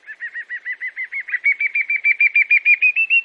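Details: Brazilian chalk-browed mockingbird (sabiá-do-campo) delivering a steady train of about twenty evenly spaced chirped notes that slowly rise in pitch and grow louder, in a quiet setting.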